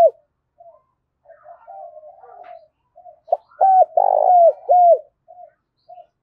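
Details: Spotted dove in the morning, calling to attract others. Quiet scattered murmurs lead into one loud phrase of two brief coos, a buzzy rolling coo and a dropping last coo, followed by faint short notes.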